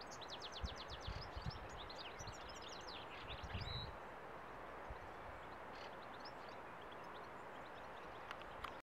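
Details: A European goldfinch (Carduelis carduelis) singing on a branch gives a quick run of high, tinkling twitters for about four seconds, then scattered single notes, over a low rumble of wind or distant traffic.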